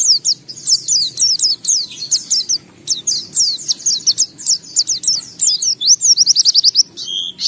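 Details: Pleci in gacor song unloading its isian: rhythmic clusters of high, slurred twitters, ending in a rapid run of evenly spaced chips, clear with a faint hum below.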